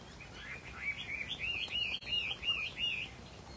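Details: Caged Chinese hwamei of a rare pale colour variety, bông mơ bạc tạng, singing a string of clear whistled, looping notes in rapid rhythm, each phrase bending up and down, over faint background hiss.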